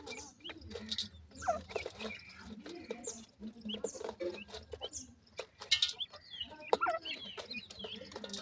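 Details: Feeding time for francolin chicks with their parents; scattered high peeping chirps, some sliding downward, mixed with dense clicking, pecking taps and low murmuring clucks.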